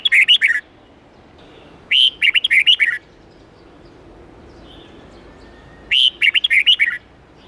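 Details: Red-whiskered bulbul song for teaching young birds, three short bursts of bubbly, fluty whistled phrases spaced a few seconds apart, with quiet background noise between.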